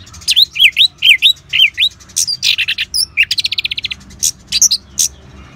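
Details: Ngeban-style song of an orange-headed thrush, meant to stimulate caged birds: a run of repeated V-shaped whistled slurs, then harsher mixed notes and a fast even rattle of about ten clicks, ending in scattered sharp chirps.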